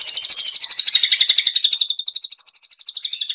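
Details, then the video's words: Medan-type White-rumped shama lure song: a sustained high rattling trill of about four pulses per second, dropping slightly in pitch and running steadily throughout. "Pancingan Kicau Murai Batu"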